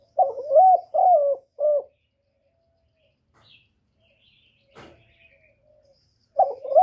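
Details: Spotted dove cooing three notes, the last short and clipped, followed by several seconds of near silence with a faint click. A new coo begins at the end.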